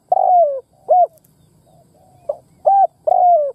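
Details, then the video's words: Caged decoy spotted dove kept to provoke wild doves into answering; low mellow coos with a long downward-sliding note, broken into separate phrases with short clipped notes between. "Cu mồi đất kích bổi nghe là gáy"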